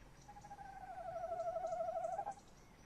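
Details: Male tawny owl bubbling trill from inside its nest box at 21:45, 30 May 2015: a single drawn-out quivering note of about two seconds, gently falling and then lifting at the close.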